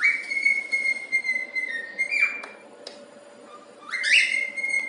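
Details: Phoebe, a happy cockatiel, whistles the learned tune "If You're Happy and You Know It" in long, clear, steady notes with a couple of quick upward slides, broken by a few sharp knocking taps.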